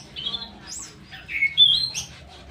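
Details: Straw-headed bulbul, a kept songbird, singing a few loud, liquid, slurred whistles that climb and drop, the strongest notes coming near the end; soft hum behind.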